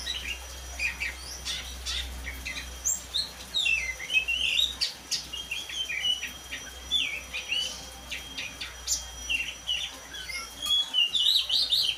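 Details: A black-and-white Oriental magpie-robin gives a long run of quick, high twittering and whistled notes in irregular bursts. A faint constant tone and background hiss run beneath the song.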